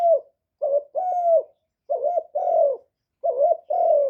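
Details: Spotted dove lure cooing, recorded live without background noise to stimulate kept doves. Low, hollow coos in repeated three-part phrases, a short note then two longer drawn ones, each phrase separated by about a second of silence.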